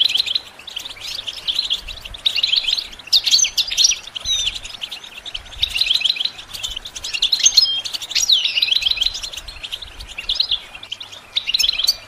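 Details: Goldfinch singing for songbird training, a long run of bright, tinkling twitters and quick chirps in clustered bursts, with busy background chatter throughout.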